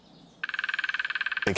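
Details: A female woodpecker drums on a dead ancient oak in courtship season, a fast, even roll of about twenty hollow knocks in one second advertising territory to mates and rivals, cut off by a loud noise burst.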